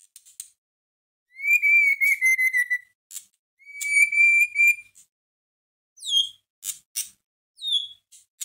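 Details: White-rumped shama song for provoking a caged bird to sing, with two long flat clear whistles, sharp clicks, and later high, sharply falling whistled notes in a sparse sequence.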